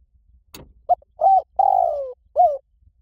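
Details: Spotted dove call used to lure wild birds: a sharp click, then a short soft coo, two mellow hooted notes, a long drawn-out coo sliding gently downward, and a final short coo, all low and hollow over a quiet background.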